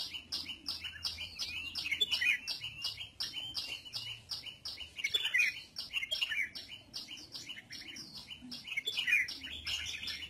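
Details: Captive red-whiskered bulbul (Pycnonotus jocosus) sunbathing, singing bright, bubbly, high whistled phrases with lively chirps running almost nonstop over a faint low hum.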